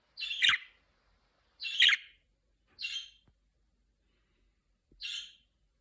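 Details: Pet budgerigar chirping before it has learned to talk, while being trained to speak; four short, harsh, warbled chirps, each about a third of a second, spaced one to two seconds apart in a quiet room.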